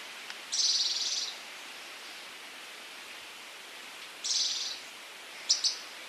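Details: Scaled Antbird from Brazil giving high, buzzy rasping notes, a long one near the start, another about three seconds later, then a brief clipped burst, against faint hiss.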